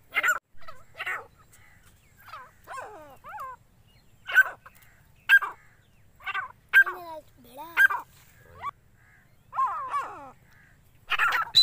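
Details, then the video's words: Four-month-old grey francolin chicks of a fighter line give harsh, squawky calls with drooping notes, one burst roughly every second, with brief quiet gaps between. "dakni teeter ki awaz | partridge sound"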